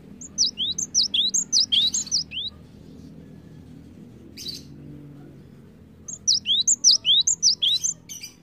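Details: Lure song of a cinereous tit, used to stimulate other birds into song. Piercing whistled phrases repeat briskly, about two per second, in two bouts separated by a quiet gap with a soft rustle.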